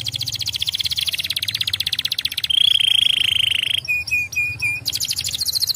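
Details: Canary song played to stimulate other canaries to sing: fast buzzy trills of repeated notes, then a long steady whistled tone and a few short level whistles, ending in another rapid trill.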